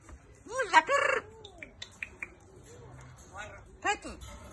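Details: A blue-and-yellow macaw on an exotic animal farm in South Africa gives a burst of loud, harsh squawks with arching pitch, then scattered short chirps and clicks, then a final pair of squawks.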